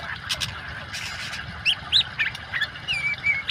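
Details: Song of an oriental magpie-robin combined with water sounds for training birds: short upward-curving whistled notes and chirps in quick irregular sequence, then level whistles, with constant flowing water beneath.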